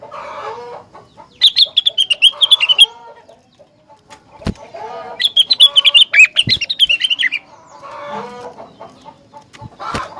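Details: Loud rengganis song that makes others respond: fast trilled bursts of bright, high chirps, each about one and a half seconds long, broken by lower throaty clucks and a few sharp knocks.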